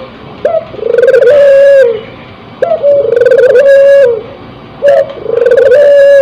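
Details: Spotted dove in breeding condition, a crossbred bird, cooing: three phrases, each a short clipped note then a long, slightly wavering low coo about two seconds apart, with thin higher chirping layered above.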